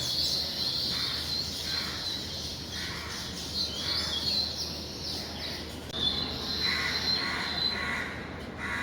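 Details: Weaver birds coming in and out of their nests in the morning keep up a constant high twittering chorus of quick, overlapping chirps, broken by bursts of slightly lower, harsher chatter, over a soft outdoor background.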